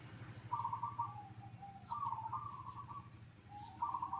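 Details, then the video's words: Zebra dove song used to get other zebra doves to answer: three vibrating, bubbling coo phrases, each ending on a slightly lower note, with a steady low hum underneath. "perkutut apa saja pasti nyaut dengar suara ini"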